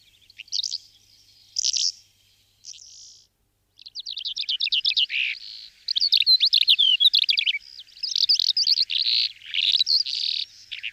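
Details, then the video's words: Calandra lark (Melanocorypha calandra) song: a fast, rich jumble of high rattling trills and chirps, opening with a few short notes and then running on almost without pause. "Chamariz, Señuelo, Calhandra Real, Melanocorypha Calandra, Calandria"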